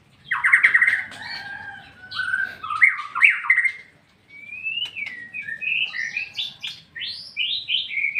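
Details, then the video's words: White-rumped shama singing in ngeplong-ngeplong style, meant to prompt other birds to answer: loud clear whistled phrases, some held and some rapidly warbled, broken by short pauses and ending in a run of bright rising slurred notes. "MURAI BATU NGEPLONG-NGEPLONG Burung anda pin ikut nyaut"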